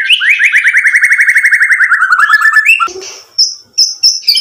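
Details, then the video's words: Song of a white-rumped shama, used to provoke a reply: a fast stuttering rattle of repeated notes, about four per second's beat, sliding gently downward, followed by a harsh burst and clear high whistled chips. "MURAI BATU GACOR memancing EMOSI bikin NYAUT ikut BUNYI"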